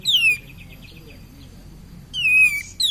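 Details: Cream-vented bulbul in full song, a lure to stimulate other birds: bright descending whistle, a soft trailing stutter, silence, then a longer loud downslurred whistle and a brief high fragment at the end.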